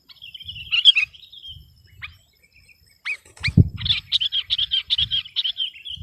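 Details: Sooty-headed bulbul singing hard against an opponent: a warbled phrase, a few sharp rising notes, then a steady series of rolling, repeated chirps, with low thumping noise underneath.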